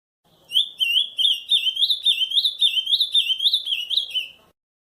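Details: Wild ultramarine grosbeak singing in the camaquã song style out in nature: a run of clear, slurred whistled notes, each rising and falling, given in quick succession for about four seconds against a quiet background.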